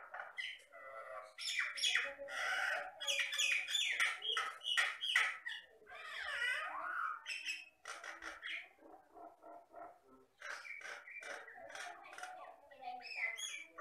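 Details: Energetic song of a Batam myna, a Riau Islands lowland bird known for copying sounds: dense harsh squawks, chatters and twisting whistles, a softer run of mellow low notes, then more loud scratchy bursts.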